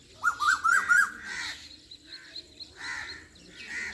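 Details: Asian koel singing near a village in Pakistan: a quick run of five short, clear whistled notes, each rising then dipping, followed by fainter harsh, broad calls from other birds in the background.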